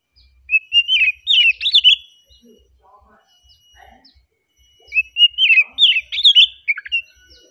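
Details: Oriental magpie-robin in relaxed song, two bright phrases a few seconds apart, each a level whistled note followed by a fast run of sweet, twisting warbles, quiet in between.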